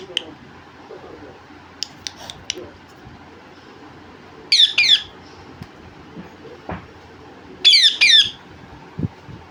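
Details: Talking parrot, said to say "mummy papa", gives two loud harsh squawking bursts about three seconds apart. Each is a rapid cluster of grating notes, with a few faint sharp clicks and low background rumble between them.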